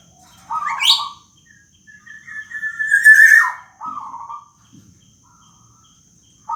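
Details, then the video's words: Young captive black-naped oriole in its plaintive wailing call: a rising nasal note, a long slurred whistle breaking into a harsh falling squeal, then a short buzzy note; quiet gaps and faint low noise between. "suara rintihan kepodang emas lokal"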